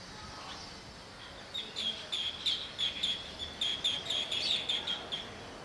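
Green bee-eater giving a quick series of high, trilled chirps, several each second, after a brief quiet start; faint background hiss.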